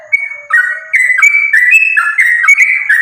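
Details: Sooty-headed bulbul pouring out fighting song, used as a lure to coax other bulbuls into singing: a quiet low note, then crowded, bright whistled phrases climbing and falling rapidly.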